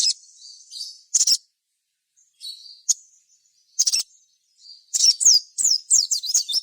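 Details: Energetic sogon song intended to get other sogon singing: a soft warble, then spaced piercing chips, ending in a fast run of repeated high downslurred whistles.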